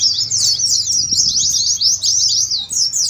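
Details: Oriental white-eye (pleci) ngeriwik, used as contest simulation: brief burst of sweet, swooping chirps in quick succession, high and unbroken, over a faint low hum.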